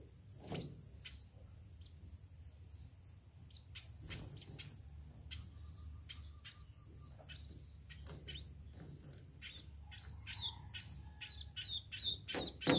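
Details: Tame sparrow giving scattered high, thin chirps, sparse at first, then quicker and louder toward the end, over a low background hum.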